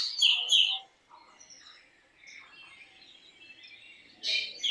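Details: Black drongo song with two loud, harsh, high notes in quick succession, then a run of softer twittering and scratchy phrases and a strong harsh burst at the close.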